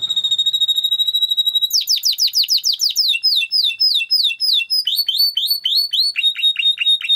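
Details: Timbrado canary in song for training, opening with a sustained pure whistle, then rapid slurred notes in regular rolls that step through several distinct tours, ending on a fast lower repeated trill.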